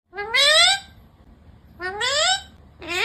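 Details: Green parrot giving loud, rising, harmonic-rich vocal sounds, a drawn-out upswept cry at the start, another after a second's pause, and a third beginning as the recording ends; quiet background otherwise.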